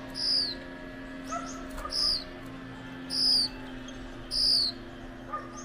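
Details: A pair of Gouldian finches: loud, high, sharp downslurred notes given about once a second, four in under six seconds, with fainter chirps between them over a steady low hum.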